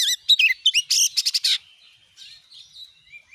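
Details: Oriental magpie-robin 'gacor nembak' lure song meant to set off other magpie-robins; a short burst of sharp chirps and quick stuttering notes, fading into soft faint whistles.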